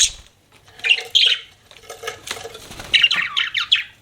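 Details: Pet budgerigar chirping in short scratchy bursts, with squeaky notes around the middle of the short recording and quieter chatter between them.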